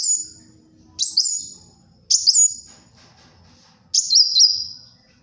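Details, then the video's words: Sunbird, kolibri wulung, in song used for luring and tutoring: very high sweeping whistles, some with a small warble, delivered in three spaced phrases over soft low background noise. "SUARA BURUNG KOLIBRI WULUNG GACOR, UNTUK PIKAT & MASTERAN"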